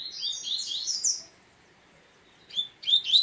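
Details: Double-collared seedeater delivering a dense, warbling run of high twittering notes for about a second, then after a gap two quick sharp chirp bursts.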